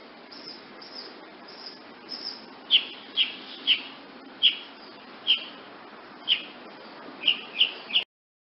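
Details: Sharp, high, clipped chips from a woodnymph hummingbird, first faint, then louder and spaced roughly every half second to second, ending in a quicker triplet.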